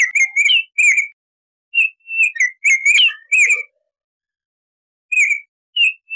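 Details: A Baltimore oriole sings whistled phrases of several clear, slurred notes, some rising and some falling. A few seconds of silence come before two final notes.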